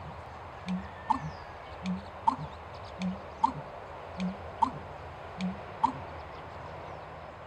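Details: A male American bittern singing to defend its territory at Snoqualmie Wildlife Area, Duvall, Washington: deep, gulping booms, each followed by a sharp knocking note, repeated about every 1.25 seconds over a low background rumble.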